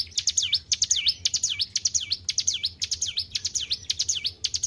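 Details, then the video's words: White-browed shortwing kept as a cage bird, singing steadily: bright, high whistles that dip and rise sharply, about two per second, with quick ticking notes between them and a faint low drone. "GACOR IDOLA PARA SUHUU..BURUNG CIBLEK GUNUNG"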